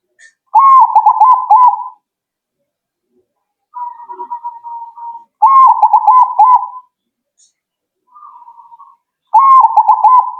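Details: Zebra dove singing and answering right away; loud mellow cooing phrases near one pitch, broken into rapid stuttering notes, in bursts of one to two seconds separated by pauses, with softer answering coos between.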